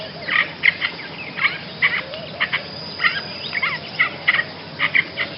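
A Basra reed warbler sings a harsh, chattering song of grating notes, about two or three bursts a second, over faint background hiss.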